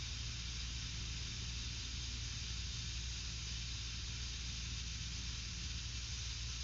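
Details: Steady broadband hiss over a low rumble continues for the whole stretch, with no animal calls audible.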